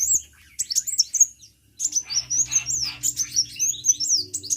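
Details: Energetic sunbird chirping: a short high burst, a brief silence, then a longer jumble of sharp, thin slurred notes and clicks.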